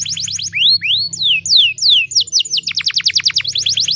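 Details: Canary hen in breeding mood calling a male. Bright rising and falling whistled slurs, then a quick run of sharp descending notes and a high rapid trill, with faint low hum beneath.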